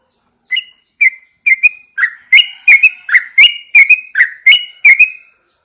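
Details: Caged Yellow-vented Bulbul put outside at dawn to stimulate song: clear whistled notes starting sparse, then quickening into a rhythmic sequence of rising and falling slurs.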